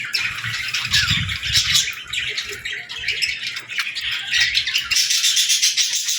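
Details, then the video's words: Baby budgerigars with lovebirds at feeding time, feeding and interacting: dense, overlapping high chirps and chattering twitters from several birds, continuous with no pauses, with soft low thumps and shuffling beneath. "Love Birds & Budgies Feeding Time Sounds"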